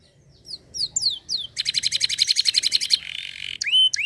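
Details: Canary giving a few descending whistled notes, then a long, loud buzzy trill, a softer rasping section and a closing clear whistle.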